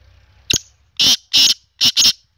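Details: Kala teetar, the black francolin, giving its harsh grating call: an opening click followed by two drawn-out rasping bursts and a quick closing pair, loud against a quiet background.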